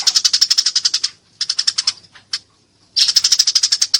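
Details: Fighting Eurasian tree sparrow calling loudly and cleanly: a fast train of sharp chirps, a shorter burst, a lone note, then another rapid chirping run.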